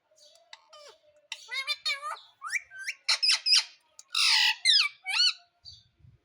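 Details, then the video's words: Indian ringneck parrot talking, a pet that says "mummy": a series of quick, high, squeaky and squawky syllables with bending pitch. One harsh noisy burst sounds midway, and faint low thumps follow at the end. "Mummy Mummy bolne wala Tota _ Parrot Talking _ Sweet Ringneck Parrot Talking"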